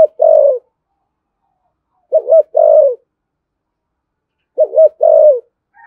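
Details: Spotted dove in thổ sấm style, thúc gù and calling coos: low, hollow phrases of a quick wavering double note and a drawn-out level coo, three phrases roughly every two and a half seconds, faint higher sound at the close.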